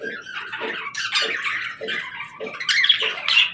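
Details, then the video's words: Pet parakeets playing and singing in a run of short, rising chirps and squawky notes, one every half second or so, growing brighter toward the end. "Parakeets Playing, Singing & Talking | Relaxing Chirping Sounds"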